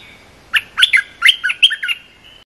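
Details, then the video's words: One extended cream-vented bulbul phrase from a song for teaching young birds, a run of about eight bubbly, warbling chirps ending in a thin held tone. "เสียงนกดอกแตงEp.173 เพลงหัดลูกเสอ/ลูกใบ้ เพลงสั้นๆน่าฟัง"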